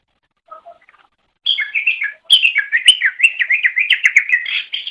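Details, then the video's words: Cucak ijo, or green leafbird, in a master recording used to train songbirds. Soft faint notes lead into a long, fast, tumbling warble of whistled and slurred notes, continuous and varied. "Ocehan Suara Burung Cucak Ijo"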